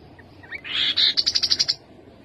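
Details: Rufous-capped babbler song: a short buzzy burst, then a quick run of about eight bright, evenly spaced piping notes, high and clear over a quiet background.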